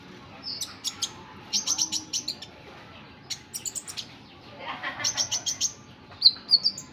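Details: Sunbird, known locally as kolibri ninja or konin, giving faint, thin, high chirps in quick bursts of four to six notes, with short pauses between the bursts.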